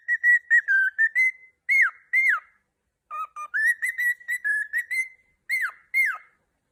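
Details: Male pet cockatiel singing with its owner: bright whistled notes, some level, some swooping sharply downward, delivered in quick phrases with short pauses between them.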